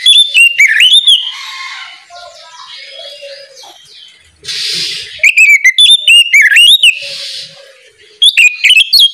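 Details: Oriental magpie-robin singing in the loud, open ngeplong style in the morning, meant to prompt untrained birds to sing quickly. Bursts of sweeping whistled notes, then a quieter gap with softer chirps and a hissy passage, then loud whistling again.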